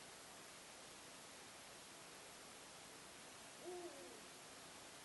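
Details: Eurasian eagle-owl, wild, heard near Hagen, North Rhine-Westphalia, Germany, around 4 am CET on 26 March 2016 (Holy Saturday), calling for about fifteen minutes before dawn; a single faint, low, short hoot near the end, set against steady broadband hiss.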